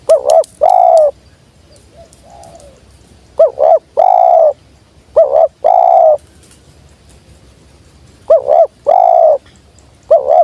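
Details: Spotted dove cooing repeatedly in low, mellow phrases: quick double wavering notes followed by a drawn-out coo, repeated at intervals of a few seconds in an otherwise quiet setting.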